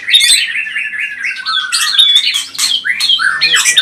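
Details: Pistol-type white-rumped shama singing fast, energetic phrases meant to stir up other birds: loud whistles, sliding notes and rapid chattering bursts tumbling together without pause.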